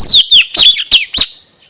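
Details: Piercing downslurred whistles from a male Blue-rumped Parrot, a lure for wild birds, five quick notes in under two seconds, the first two clean and falling, the later ones harsher.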